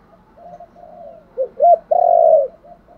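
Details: A spotted dove's luring song: faint low murmurs build into two short rising coos, then a long, loud, even coo and a soft closing hum.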